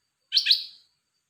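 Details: Caged red-whiskered bulbul giving one short, bright two-note phrase that rises and falls, lasting under half a second, over otherwise silent background.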